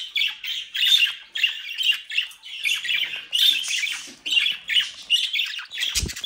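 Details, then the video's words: Near-continuous harsh chattering from a captive brood of playful budgerigars in South Holland: rasping squawks tumble in uneven bursts, ending in a low knock. "Mi cría de Periquitos Australianos traviesos"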